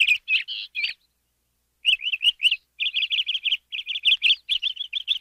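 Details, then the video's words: Canary singing clear, fast chirping phrases: brief warbled notes, a pause, then rapid repeated trilled syllables in bursts, bright and high-pitched against a silent background. "Canary Singing"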